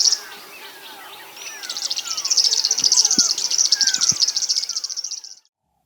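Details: A River Warbler at dawn in late March on Zaagkuilsdrift Road, in a bumper summer migrant-warbler season, gives a high, dry, insect-like buzzing song of rapid pulses about four seconds long, with a dawn chorus of descending whistles behind.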